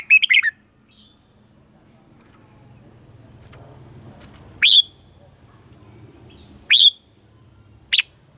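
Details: Morning song of a red-whiskered bulbul in the mature wild-style voice, a lure recording for training caged birds: sparse sharp whistled notes spaced one to four seconds apart over a low humming background.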